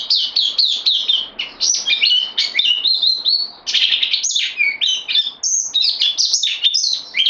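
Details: Bulbul newcomer held on loan, recorded 12 September 2020, pours out a lively, varied warble of high slurred whistles and downward sweeps in close succession, one brief break midway.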